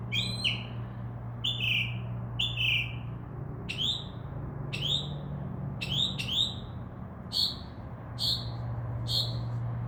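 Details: Northern mockingbird singing from a tree outside a window, a bird that returned for under a week starting at midnight: bright downslurred notes, some doubled, repeated roughly every second, with a steady low hum underneath.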